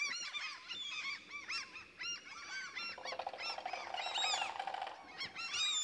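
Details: Several common cranes trumpet in a forest in the middle of Sweden, a busy chorus of arched, ringing notes overlapping almost without break, with a steadier droning tone joining midway.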